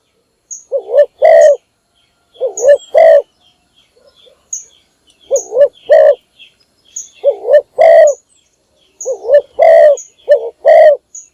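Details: Spotted dove decoy bird calling in the morning to lure other doves: five phrases, each a quick wavering double coo followed by a longer, loud, drawn-out coo, recorded loud and slightly distorted, with a faint high whistle between phrases.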